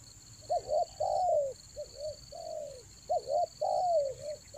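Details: Spotted dove lure calling for the rainy season, Toba lure style: mellow two-note coos, a soft rising note then a long falling one, phrase repeated about every three seconds, over a steady high electronic whine and low hum.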